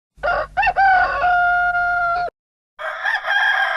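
A rooster gives a loud cock-a-doodle-doo crow, two short rising notes then a long held harmonic note, followed by the start of another crow.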